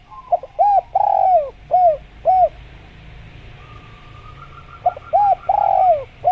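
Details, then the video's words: Spotted dove, known locally as tekukur, in a natural jungle setting, giving short mellow cooing notes in a repeated phrase, a pause, then the phrase again, with a faint steady tone in the background. "Masteran Tekukur Biar Cepat Bunyi | Natural Jungle Dove Sound Effect"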